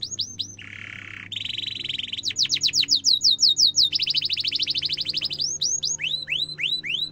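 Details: Domestic canary singing a long gacor song in the cuit cuit and ngerol style, used as a master to teach young canaries: rapid ringing trills, a buzzy low roll, then series of bright upslurred whistled notes repeated several times per second.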